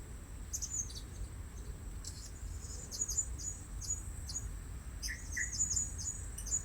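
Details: Blue-crowned hanging parrot calls used to lure birds at a new trapping spot: short, thin, very high chirps in scattered clusters over a steady shrill whine, with a couple of lower squeaky notes near the end.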